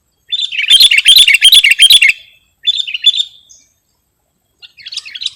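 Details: A sooty-headed bulbul, recorded for luring or tutoring birds, delivers a lively bubbling phrase of quick rising and falling notes, then a shorter warble and a faint closing twitter after a pause.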